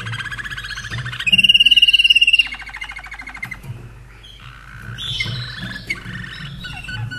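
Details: Caged Slavujar canary in Austria, hatched 2011, performing a little song: a loud piercing high trill, then rapid rattling rolls and sliding whistled notes, all closely repeated, over low indoor hum.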